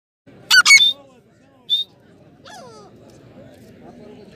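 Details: Grey francolin (Francolinus pondicerianus), Dakhni type, calling: a few loud, shrill, ringing notes in a quick burst, then a single sharp note; fainter calls and a low murmur of voices follow.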